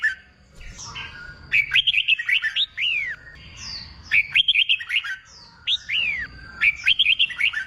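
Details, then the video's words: Song of a red-whiskered bulbul, played to coax wild-caught birds into contest singing: three phrases, each a rapid run of chirpy whistles capped by a swooping downward note, spaced about two seconds apart. "Kích bổi nghe là hót, luyện chim hót đấu, luyện chào mào bổi sổ giọng"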